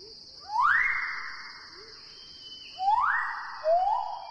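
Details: A male Magnificent Riflebird in dense lowland forest gives loud, clear, far-carrying whistles: a sharply rising note held long, then a second rising whistle with a lower tail, over a steady high insect drone.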